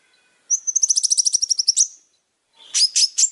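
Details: Long-tailed shrike, described as singing very actively, giving a thin high whistle that breaks into a fast even trill of about a dozen notes, then, after a pause, three scratchy chirps.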